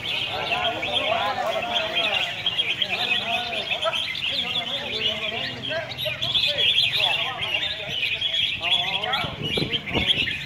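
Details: Red-whiskered bulbuls at a singing competition on a contest field, Soi 7, Hat Yai district, Songkhla, Thailand: several birds sing at once. Their rapid warbled, looping phrases overlap above a dense, steady chirping chorus, with a low crowd murmur beneath.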